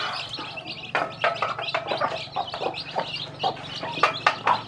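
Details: Hen that hatched many chicks from eggs, calling her brood while teaching them to eat; repeated low clucks mixed with high thin chick cheeps and sharp pecking taps, steady low hum beneath.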